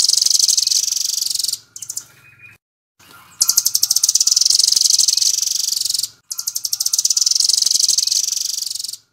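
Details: Full-speed 'nembak' trilling by a velvet-fronted nuthatch (rambatan): long volleys of rapid, piercing, high notes, with a short quiet spell and a silent break early on, then two more sustained runs.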